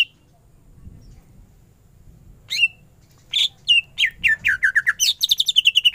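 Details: Greater green leafbird in full 'gacor' song after a quiet start; sharp whistled notes build into rapid runs of repeated chirps that slide downward, ending in a quick even trill.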